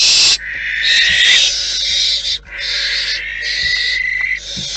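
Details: Inside a wild barn owl nest, a loud opening burst leads into harsh, somewhat tonal screeching with a steady hoarse pitch, broken into several long phrases, with occasional light knocks.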